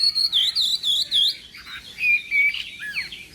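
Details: Chinese hwamei training its contest voice in the morning, giving a short burst of high, repeated whistled swoops followed by softer descending slurs.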